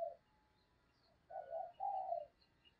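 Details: Spotted dove lure bird cooing to attract wild doves, 2022; after a short opening note and a pause, two soft, low coos follow, the second longer, with faint high chirps of other birds in the background.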